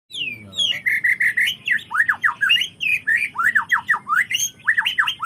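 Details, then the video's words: White-rumped shama song meant to prompt other shamas to sing their learned repertoire: a rapid, loud run of sharp downslurred whistles and chattering notes, repeated several times a second without pause, over a low background hum. "suara burung muray !!!! bikin muray anda bongkar isian"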